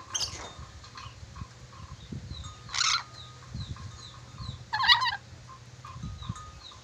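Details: Ornate lorikeet of Sulawesi, praised for its varied whistling, produces three loud raspy squawk bursts spaced about two seconds apart, with faint brief notes and low background rumbling between them.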